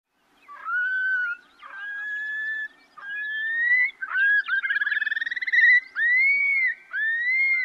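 Long-billed Curlews calling back and forth: clear rising whistles, cur-lee, with a bubbling rapid trill in the middle, several birds overlapping.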